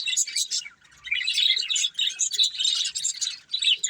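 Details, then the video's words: A breeding pair of colourful budgerigars trading fast, buzzy chirps and squeaks in short bursts separated by brief pauses. "Colourful Budgies Chirping Sounds"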